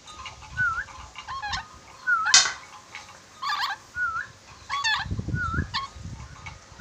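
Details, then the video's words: Ornate lorikeet from Sulawesi, said to be a clever whistler with many whistles, gives short slurred whistles that rise then fall, about four across the stretch, interleaved with buzzy, harmonic-rich squawks, over low thumping handling noises. "Nuri dora sulawesi pintar bersiul, nuri dora banyak siulan"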